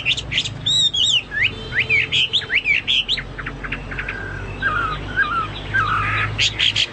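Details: Chinese hwamei singing hard, compared to cucak Papua or cucak mas. Loud looping whistles open, followed by clipped notes and lower slurred phrases, with a few sharp notes at the close.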